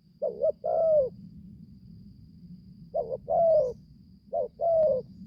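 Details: Spotted dove, a young newly vocal bird taken into the forest for training for the first time; three separate paired coos spaced over several seconds against a low droning background.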